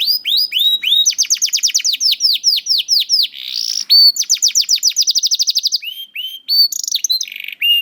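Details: Juvenile canary in a cage, sung to prompt hesitant canaries: long rapid trills of high downslurred notes, brief buzzy passages, then slower rising whistles toward the end.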